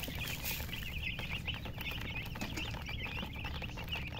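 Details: Chicken chirps, many quick high peeps running together in a steady stream, set against heavy low-pitched rumble and scuffling noise close to the recorder.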